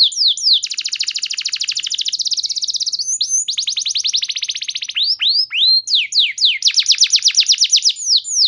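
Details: Canary song meant to provoke other canaries: a rapid, rattling trill opens, then bursts of quick repeated notes alternate with swooping slurred whistles and another fast, even trill.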